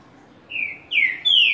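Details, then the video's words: Green-winged saltator with a six-note 'boi' song: three clear whistled notes, each louder than the last, the middle one sliding downward. "Esquente seu Trinca - Ferro com 6 nota Boi no meio do Canto"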